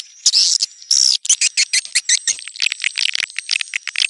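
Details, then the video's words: Two long buzzy notes from a swiftlet open the sequence, followed by a dense chattering series of short, sharp chirps that speeds up and grows uneven. "SUARA BURUNG WALETNETRAL soUND"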